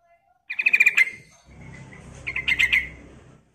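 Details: Female sooty-headed bulbul calling to a male: two quick rattling, chirpy bursts separated by a pause, the second over a faint rumbling background.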